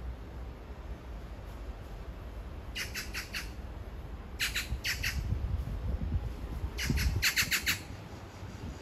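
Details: Magpie calling to its mate a few metres away in a love serenade: three bursts of harsh, rapid rattling chatter, each of about four grating notes, separated by pauses, over a low background rumble.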